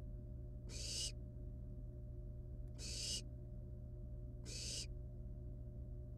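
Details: At a wild barn owl nest, nestlings handle a still-living rat before eating it; three harsh, noisy hissing shrieks spaced about two seconds apart, with a constant low electrical hum underneath.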